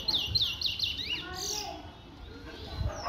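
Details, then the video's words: Chestnut-bellied seed finch (towa towa) from Guyana: a quick burst of bright, slurred whistles and chirps in the first second, then people talking over a quieter background. "Towa towa bird"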